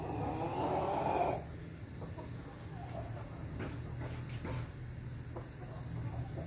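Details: Ayam Ketawa chicken crowing, recorded 20 May 2024: a loud, rich harmonic crow phrase lasting about a second and a half, then steady low hum with scattered faint clucks and knocks.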